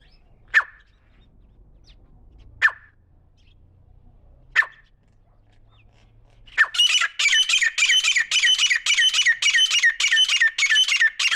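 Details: Grey francolin, stated to be female: three sharp single notes about two seconds apart, then a fast run of harsh, squawky, repeated notes, close to two per second, in clean quiet surroundings.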